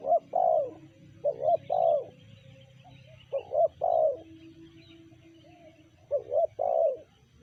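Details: Spotted dove calling in the sanji style: three phrases, each of two or three quick stuttered coos ending in a longer rounded coo, separated by pauses of over a second, faint twittering behind.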